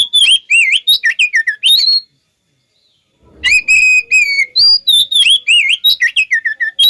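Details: Lure song of an oriental magpie-robin meant to draw replies from other magpie-robins: loud, looping whistled phrases and bending notes in quick succession, broken by a silent gap of over a second.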